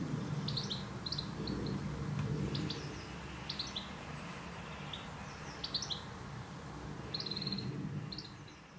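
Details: A goldfinch sings in the garden. Short, bright, twittering note groups are spaced a second or so apart and sit over a constant low hum.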